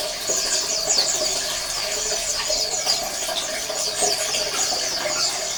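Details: Colony of Oriental white-eyes, used to stimulate quiet males into singing, giving dense, overlapping high thin chirps and short descending twitters, over a steady low hum and broadband background noise.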